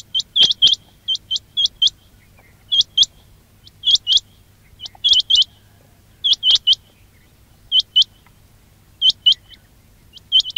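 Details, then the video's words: Quail calling on a trapping lure recording: groups of two to four high, quick upward-sweeping notes repeated every second or so, against a faint low hum. "quail batair ki awaz"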